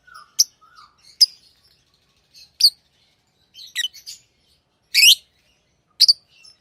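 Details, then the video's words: Tame pet lovebirds give sharp, shrill, high-pitched chirps, single and doubled, spaced irregularly over several seconds, with faint soft twitters between them in an otherwise quiet room. "Love birds Sounds | lovebirds chirping sounds"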